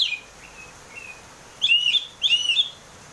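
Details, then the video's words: Oriental magpie-robin, a cage bird, song used to trigger singing: faint short whistles, then two loud looping warbled phrases in quick succession. "pancingan burung kacer ngeplong biar cepat mau bunyi dan gacor"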